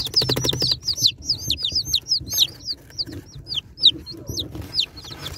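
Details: Unboxed baby chicks give a flurry of piercing, descending peeps, many birds calling over one another; a short rapid rattling noise opens the passage, with faint low rumble behind.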